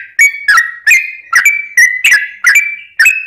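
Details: Sooty-headed bulbul lure song for drawing replies from other birds: repeated clear whistled notes, each with a crisp attack and a short level tail, about eight notes in just over three seconds.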